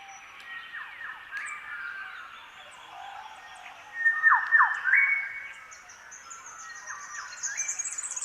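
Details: Several Grey Shrike-thrushes across an Outback landscape, some perhaps a kilometre away, answer each other with the same rich, ringing whistled phrase that swoops down, then holds a level note, from near and far. A thin high buzzing runs underneath.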